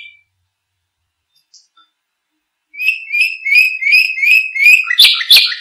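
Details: Canary song used as a tutor recording for other birds: after near silence, a series of clear whistled notes rising around mid pitch, repeated about three per second, then harsher buzzy trills at the end.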